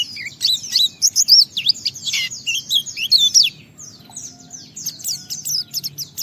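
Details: Pleci, the white-eye, pouring out a rapid high twitter meant to lure other white-eyes into song; tightly packed squeaky slurred notes for about three seconds, then thinner scattered chirps with a low background murmur.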